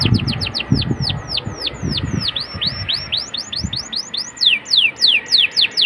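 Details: Atlantic canary song for prompting young canaries to sing, with rapid downward-swept whistled notes in steady series, and low thumping background noise in the first seconds.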